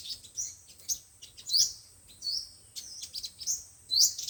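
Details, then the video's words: Sunbird song, five-colored and seven-colored types, for speaker luring in bird trapping: soft high chips interspersed with a few louder, sharply falling notes about once a second. "Tiếng chim hút mật 5 màu và 7 màu dùng để bẩy loa"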